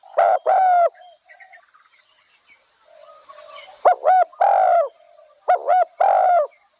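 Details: Spotted dove uttering paired coo phrases: short clipped notes followed by a longer drawn-out hoarse coo. The phrases repeat after a quiet pause with a faint low murmur in the background.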